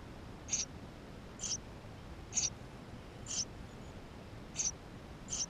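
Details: Tree sparrow nestlings begging inside the nest, recorded by GoPro camera: six high, piercing squeaks given roughly once a second in a fairly even series.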